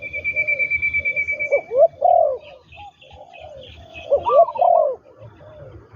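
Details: Spotted dove at a ground trapping site with a trained decoy bird, giving two loud phrases of swooping, throaty coos. A long steady high whistle plays at the start, with faint chirping from other birds.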